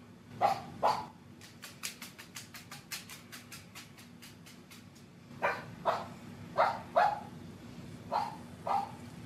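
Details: A female pet sulphur-crested cockatoo barks like a dog to get the attention of a dog she lives with, giving harsh barks in pairs and short bursts, with a run of faint rapid ticks between them.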